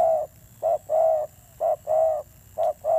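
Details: Spotted dove decoy bird cooing fiercely, with low mellow notes in short-long pairs, a brief coo then a sustained one, three pairs in quick succession.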